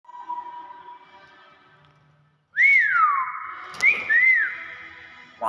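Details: Hill myna kept as a talking bird, with a faint steady tone, then a loud whistled phrase that rises, sweeps down, and holds a level note with short upward flicks, inside a small room.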